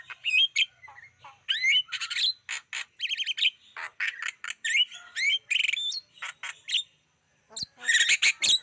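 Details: Lure song of a Black-winged starling meant to draw in wild birds: varied chattering phrases mixing rising whistles, buzzy bursts and sharp chips, a short pause, then a loud harsh burst.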